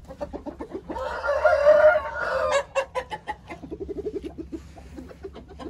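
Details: Aseel (Indian) rooster crowing: a loud, hoarse, harmonic crow lasting about one and a half seconds, framed by rapid, irregular clucking and clicking from other fowl before and after.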